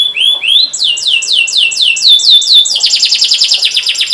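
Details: Persistently singing canary, a lure recording for young birds learning to sing: a run of loud upward-sweeping whistled notes repeated about twice a second, breaking into a fast, dense, buzzy trill.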